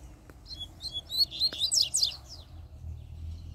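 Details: Free-flying double-collared seedeater singing strongly: a brief burst of rapid, high, sharply slurred whistled notes lasting about a second, followed by quiet low background rumble.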